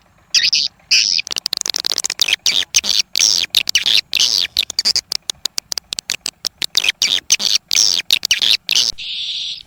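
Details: Swiftlets twittering in dense, almost unbroken high chatter, harsh, buzzy chirps cut by brief gaps, closing with a softer, lower buzzy note.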